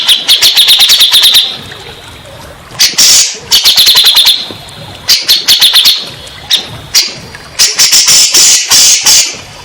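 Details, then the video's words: Grey-cheeked bulbul song used as therapy to make stressed or silent birds answer: fast bursts of sharp repeated notes near one high pitch, separated by brief pauses, with harsh broadband rattles mixed in. "Terapi burung cak jenggot bahan / macet bunyi , setres pasti bakalan nyaut"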